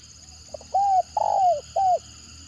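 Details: Stuttering ('gagap') spotted dove call: a short stammered lead-in note followed by three soft coos, a brief one, a long drawn one falling at the close, and a final short coo.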